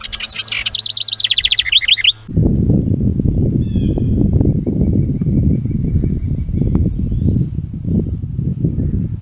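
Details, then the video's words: House Wren at a bluebird nestbox (Nestbox 4) where it builds stick nests, trail-camera recording of 10 May 2023: a rapid, bubbling song of cascading trills lasting about two seconds, then loud low rumbling noise with a few faint chirps. "House Wren"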